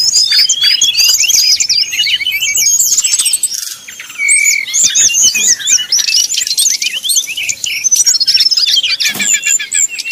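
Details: Fluting song of a brown-chested jungle flycatcher used to provoke rival birds: energetic cascades of thin rising and falling whistles, a short pause mid-way, then renewed rapid phrases.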